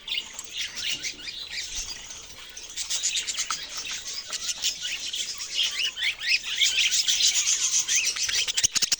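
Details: A group of budgerigars keeps up rapid, overlapping chirps and scratchy warbles. The chattering grows louder and denser in the second half.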